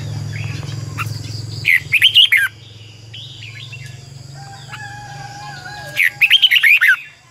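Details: Morning song of a decoy red-whiskered bulbul in the twisting 'double voice' style, meant to train other birds. Two energetic bursts of quick, looping whistled notes. A softer thin whistle falls between them over a low hum.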